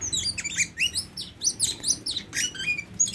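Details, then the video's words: Tame Oriental magpie-robin delivering a rapid, busy sequence of high chirps and slurred whistles, notes crowding one after another with barely any pauses, a brief level whistle near the end. "Burung Kacer Jinak"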